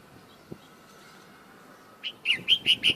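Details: Bulbul singing outside its cage in the morning: after two seconds of near quiet, a burst of five loud, clear whistled notes in quick succession, each a short liquid phrase.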